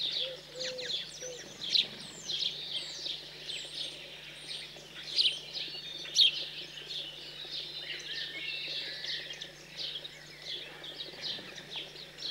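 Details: Feeding of house sparrows after leaving the nest, cold central French countryside, June 2020; softer, more distant chirping spread over twelve seconds, with a few sharp peaks and a low background hum.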